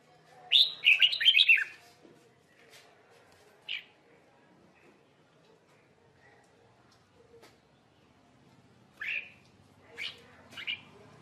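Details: Red-whiskered bulbul, trapped in Vietnam amid fighting: an opening rush of quick warbled whistles, a lone chirp, long quiet, then three separate bright chirped phrases toward the close.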